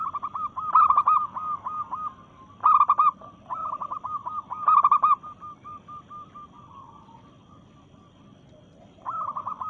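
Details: Local zebra dove in breeding mood, singing to challenge a rival. Several loud bursts of rapid stuttered coos stand over steady fainter trilled cooing; a final loud phrase closes the run.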